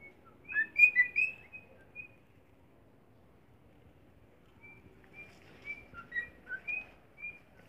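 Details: Young cockatiel practising its song: soft, short chirped whistles in two loose bursts separated by a quiet gap, with faint low background noise.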